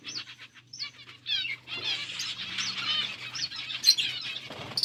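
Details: Budgerigars eating: a few clear, rapidly repeated high chirps run into continuous scratchy chattering over a steady low hum.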